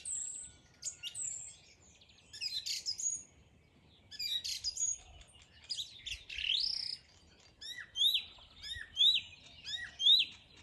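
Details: A morning songbird delivers varied chirps and warbled phrases, ending in a series of sharp, rising-falling whistled notes repeated about once a second.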